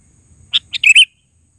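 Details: Sooty-headed bulbul calling one short phrase that starts with two separate chirps and ends in a rapid liquid double note.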